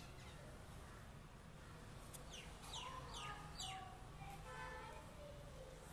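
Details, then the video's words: Common myna chirping in a terrace garden: a run of sharp falling chirps mixed with lower warbled notes, over a constant low hum. "Beautiful Chirping Sound Of Mynah|Mere Terrace Garden Me Mynah"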